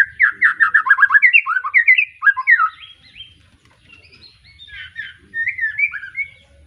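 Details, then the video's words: Young white-rumped shama just after moulting, Arko Tangerang bloodline, Petarukan, Pemalang, pouring out a long varied song: rapid fluty warbled notes for three seconds, a quieter pause, then more whistled phrases. "Kicau Murai batu lepas trotol,suaranya heboh"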